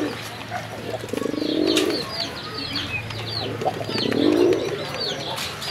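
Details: Domestic pigeons kept on a farm in Kashimpur, Gazipur, Bangladesh, offered for sale: two low, rolling, throaty coos about three seconds apart, with a steady chatter of high chirps from other birds behind them.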